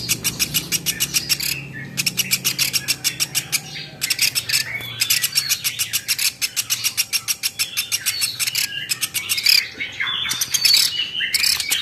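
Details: Long rapid series of dry, high-pitched ticks from a velvet-fronted nuthatch, kept for tutoring other songbirds, broken into repeated bursts, with some slurred whistled notes mixed in near the end.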